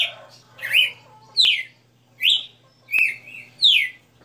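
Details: Kept red-cowled cardinal (galo de campina) performing its 60-note song: clear sweeping whistled notes in quick succession, some falling, some with a rising tail, over a faint hum and occasional clicks.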